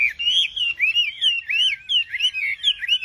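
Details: Singing nightingale giving looping, wavering whistles that swoop up and down, linked in a rolling phrase of about eight similar notes with no other sounds.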